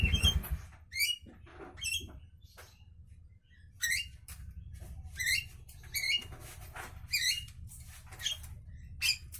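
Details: Javan myna in the morning: a run of short, squeaky notes rising and falling, each with a sharp overtone-rich buzz, given in bursts about every half second to a second over a low background rumble.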